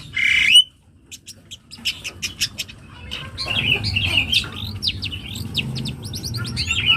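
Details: Young long-tailed shrike: a short harsh burst, a pause, then a chain of crisp chirps building into fast mixed twittering and whistled notes.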